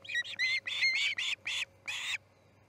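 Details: Osprey chick fledging from the Charlo nest, 6:03 am on August 10, 2018: about seven short, high, harsh piping notes in a brief burst, the last one longer, then quiet.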